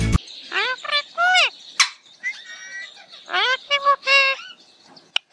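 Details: A Rose-ringed parakeet in Sri Lanka mimics human speech in a few rapid, slurred, voice-like phrases with harmonic bends and a squeaky, nasal tone, ending in sharp clicks.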